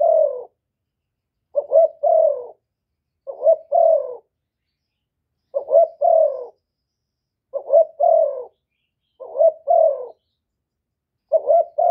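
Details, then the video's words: Steady series of spotted dove calls for provoking rival birds: seven two-part phrases over twelve seconds, roughly every one and a half to two seconds, each a brief rising note then a falling coo, no background sound. "Tiếng chim cu gáy kích bổi giọng hạp bổi"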